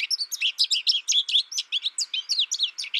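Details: Steady stream of sweet, high chirps and wiry twitters from an American goldfinch, notes coming several per second in an unbroken chatter.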